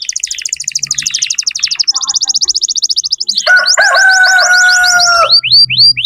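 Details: Tutoring song from a vigorously singing canary for young birds: long fast trills, then a clear sustained lower whistle under quick high sweeps, ending in slower falling notes.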